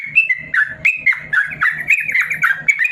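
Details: Yellow-vented bulbul in a cage, singing an extended song meant for teaching lazy birds: bright, bubbly whistled notes in rapid, jerky bursts, loud and clear.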